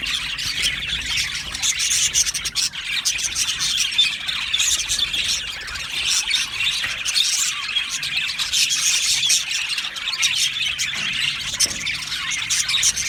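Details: Australian budgerigars in an aviary colony during breeding and mating: a dense, continuous chatter of warbling, chirping and squeaky notes from many birds at once, with no pauses throughout.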